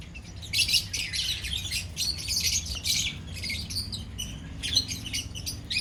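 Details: Lovebirds from a colony chatter in quick bursts of harsh, high squeaks and tweets, several birds calling over one another with short gaps between flurries.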